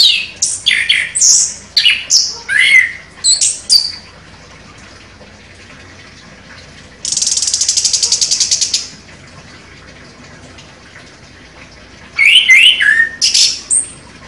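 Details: Champion orange-headed thrush delivering sharp, rapid song. Quick twisting whistled phrases repeat for several seconds, then a dense buzzy rattle, a pause, and another burst of fast warbled whistles.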